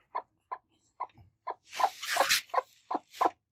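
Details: Broody hens, two of them, angry and attacking: steady short clucks about every half second, swelling into a harsh, hissing squawk in the middle.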